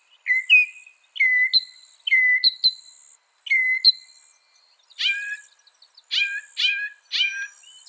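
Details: Northern mockingbird, a mimic of other birds, giving clear whistled downslurred notes repeated several times, then switching to harsher, buzzy stacked calls repeated in quick succession.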